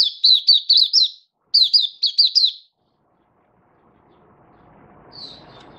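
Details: Singing oriental white-eye, 24 February 2023: two tight bursts of high, sliding chirps about five notes each, then quiet with faint low rustling and one distant chirp.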